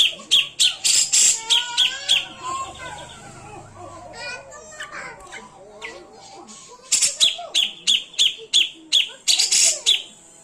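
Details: Cucak jenggot singing in konslet style: bursts of rapid, sharp, high chattering notes alternating with a tangle of looping whistles and slurred phrases, then another fast run of harsh repeated notes.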